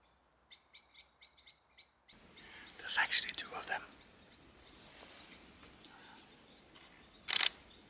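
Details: Goldcrest calls on a clear, windless, quiet late-November morning in a snowy local forest: about six very high, thin 'see' notes in quick succession, followed by murmured speech, rustling and a sharp noise at the end.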